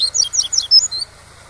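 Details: Double-collared seedeater (coleiro pardo) singing the tui-tui song style, used to teach young birds, over waterfall sound: a quick run of high, bright, twisting whistled notes in about a second, then stopping, over a steady low rushing background.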